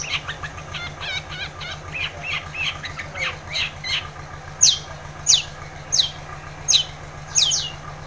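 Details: Long-tailed shrike used to trigger silent shrikes: a rapid, grating chatter of harsh notes, then five loud, sharp, descending whistles spaced under a second apart, over a low steady hum.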